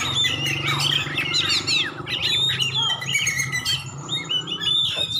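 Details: Aceh champion Oriental magpie-robin pouring out a continuous stream of sharp whistles, slurred upward notes and chattering trills, with a low engine-like drone in the background.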